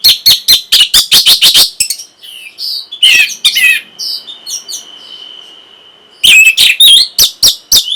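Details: Orange-headed thrush singing for breeding arousal and a reply: a fast volley of loud sharp chips, then quieter scratchy notes and a long thin steady whistle, before another burst of chips.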